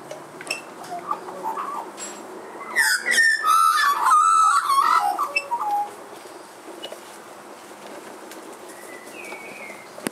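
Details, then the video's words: Magpies singing on a clothesline: a burst of rich, fluty warbles for about three seconds, rising and falling in pitch, then breaking off to a softer chirp against faint background noise. "Magpies singing"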